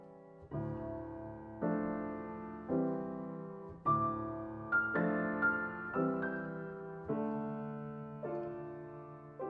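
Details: Slow piano chords ring out and fade in turn, with no birdsong.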